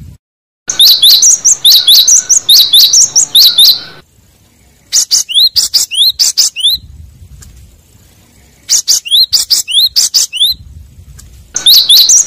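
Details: Cinereous tit in the wild giving a call used to draw in rivals: bright, high, rapid chirping notes in fast bursts of several per second, with brief pauses between bouts and a faint low rumble beneath.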